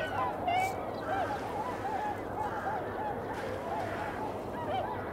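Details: Eurasian coots filmed in early February around 8 a.m. give short, nasal honking notes, several birds overlapping at about two calls a second, over a steady low rumble.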